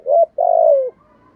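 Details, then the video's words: Low hollow coo of a spotted dove, played to stir decoy birds into cooing: a brief note, a short gap, then a long, smooth note that slowly falls in pitch. "Tiếng chim cu gáy kích bổi và tập mồi rất hiệu quả/ cu gay kich boi nhanh noi gù"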